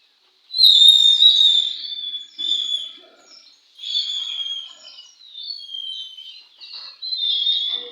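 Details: At a bird singing contest, an Oriental magpie-robin starts after a short silence with a loud whistled burst, then keeps up varied warbling phrases with quick changes of pitch, rising and falling in loudness.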